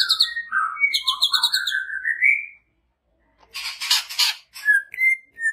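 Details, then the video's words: Caged greater green leafbird from Banyuwangi, singing constantly: rich whistled phrases rising in pitch, a brief pause, then loud harsh buzzy chatter and a final clear upslurred whistle. "Burung Cucak Hijau Gacor"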